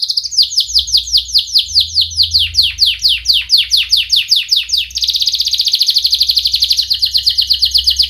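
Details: Lure song of a canary for training young birds to sing: rapid series of sharp downward-sweeping whistled notes, about two or three per second, ending in a dense fast trill.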